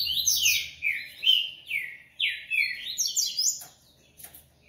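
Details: Double-collared seedeater (coleiro) from a Brazilian breeding aviary, singing a fast run of sweeping whistled notes. The notes slide down and up in quick succession, some buzzy, with short pauses between phrases.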